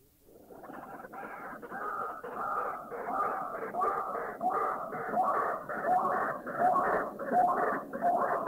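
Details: White-breasted Waterhen, recorded in a Thai national park (Khao Yai, Doi Inthanon, Doi Suthep-Pui or Chae Son), giving loud, harsh croaking and grunting notes, repeated once or twice a second in a steady, rhythmic chorus.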